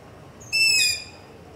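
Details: Nocturnal long-eared owl near a house, taped in darkness on a ZOOM H5 with a LOM Usi Pro: a single loud, high, thin squeal like a creaking hinge, about half a second long, then quiet.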